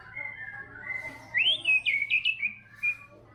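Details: Murai batu, a trotol-type white-rumped shama in full song: a long steady whistle rises into a sharp upward sweep, then rapid clipped whistled notes and a final short pure whistle over faint background hum.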